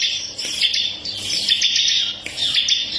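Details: A ciblek kristal, or bar-winged prinia, sings for song-training of caged birds: a continuous, high, buzzy trill of fast chattering notes with slight breaks throughout.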